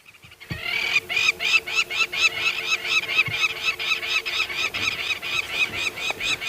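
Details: On a cloudy sunrise safari on August 21, 2016, several noisy lapwings fly over an open area, giving a constant run of harsh, strident overlapping calls, more than one a second, over a faint low hum.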